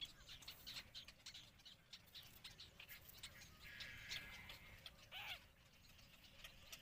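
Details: Intermediate egret (Ardea intermedia) feeding its chicks: a busy stretch of harsh squawks and scratchy chattering notes, one louder rasping squawk near the end, over steady background hiss.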